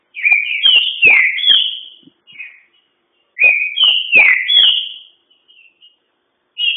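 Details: Green-winged saltator singing fast and vigorously; two rich whistled phrases of quick slurred notes, each about one and a half seconds long, with soft trailing notes after each phrase.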